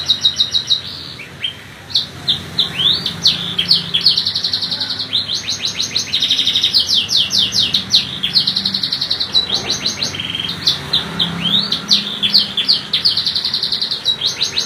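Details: Long, varied canary song: alternating bursts of fast buzzy trills and sweeping upslurred phrases, flowing almost without pause for about fifteen seconds.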